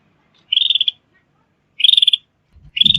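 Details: Sooty-headed bulbul call used as a trapping and training lure: two rapid trilled bursts of bright, high notes about a second apart, with a third beginning at the end alongside a low thump.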